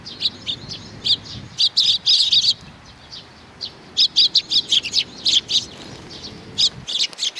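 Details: Sparrows arriving to be fed, 15 May 2019: bursts of sharp high chirps in quick clusters, a short lull near the middle, then the chattering resumes with faint low rumble underneath.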